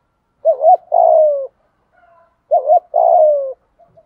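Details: Spotted dove decoy cooing in the 'thổ cục đình' voice style to lure wild doves: two phrases, each a short wavering double note then a longer, smooth, falling coo, about two seconds apart.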